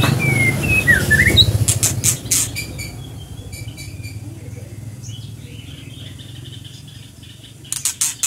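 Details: Scarlet minivet singing: a few thin, downslurred whistles and short slurred notes at the start, then scattered sharp clicks, with a steady low engine rumble throughout.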